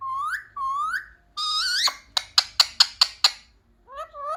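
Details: Parrot said to speak "mummy papa" gives two rising whistled notes, a long buzzy harmonic note, six rapid sharp clicks, then a short wavering rising phrase.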